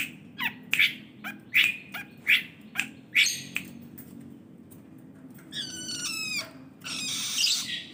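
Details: Long-tailed shrike delivering a series of sharp chipped whistles roughly every half second, then switching to harsh, nasal, rasping notes at the end, with a steady low hum behind.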